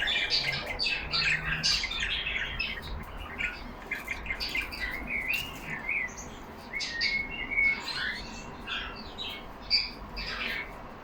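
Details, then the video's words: Caged budgerigars talking among themselves, bursts of high chirping and scratchy warbles, a brief flat whistle near the middle, the chatter rising and thinning in waves with a sharp squeak near the end. "Lovely parrots talking among them."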